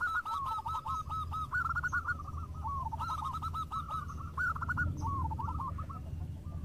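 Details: Local zebra doves keep up an almost unbroken chorus of rapid, warbling coo notes in overlapping phrases as they answer one another, over a steady low rumbling background.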